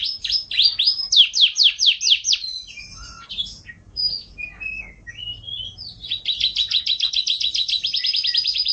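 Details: Canary singing for training pet songbirds. Loud repeated swooping notes give way to a varied pause of short whistles and chips, then a quick, steady, buzzy trill.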